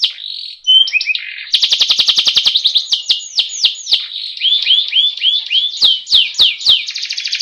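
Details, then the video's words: Canary delivering a rolling ngeroll song for training birds to sing: brief varied whistles, then a loud fast trill, a run of swept slurred notes with clicks, and a closing trill. "Suara masteran burung kenari ngerooll agar burung cepat gacooorrr.."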